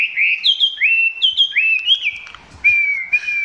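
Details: Chinese hwamei singing close up, not yet at full intensity: a string of rising and falling whistled slurs in quick varied phrases, a short pause, then two level whistled notes.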